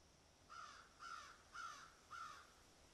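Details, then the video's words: Four hoarse, even caws spaced roughly half a second apart from crows picking at and eating food, against a faint steady background hiss. "crows picking and eating"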